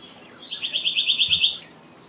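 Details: Black-naped monarch, also called black-naped blue flycatcher, delivering one brisk, even series of about ten high, ringing notes lasting just over a second, against a quiet background.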